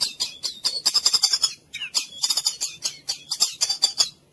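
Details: White-rumped shama, full cililin, used as a training recording for other birds: quick runs of sharp, buzzy, high chattering notes in two bursts separated by a short break.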